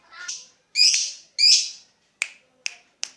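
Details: Lovebird making ticking 'ngetik' calls meant to provoke its long 'ngekek' chatter: a few harsh, buzzy high chirps followed by three sharp clicking ticks at irregular intervals, in quiet surroundings.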